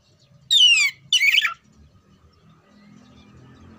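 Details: Two loud back-to-back phrases from an oriental magpie-robin, a contest-trained songbird: a sweeping whistle sliding downward, then a scratchy warbled burst, followed by quiet with faint low background rumble.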